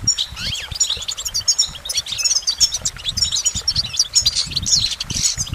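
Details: Goldfinch pouring out a quick, jingling song of high twittering notes and short rising and falling whistles, with low background noise throughout.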